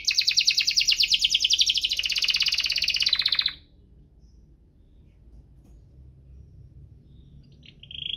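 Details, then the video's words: Canary in lively 'gacor' rolling 'cuit-cuit ngerol' song, used as a lure to prompt canaries slow to sing: a dense, rapid high trill for about three and a half seconds, then near silence with one short high note at the end. "Kenari Gacor cuit-cuit ngerol, pancingan untuk burung kenari malas bunyi"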